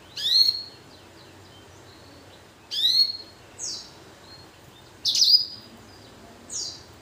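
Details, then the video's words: Canary and blackthroat hybrid finch producing sparse, high, downward-sweeping chirps spaced a couple of seconds apart. Softer short notes fall between them, over a quiet background. "Blacken Gacor Warna Unik Sekali | Blackthrout x Kenari"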